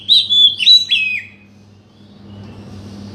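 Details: Oriental magpie-robin song for provoking a silent bird to sing: three quick downslurred whistled notes with a trill, then low hum and faint hiss.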